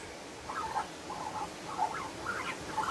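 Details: Young Australian magpie learning to sing, calling out for its parent after the adult flew off. Soft, quiet warbling phrases in short bursts with a few higher squeaky notes, low in level against faint background hiss.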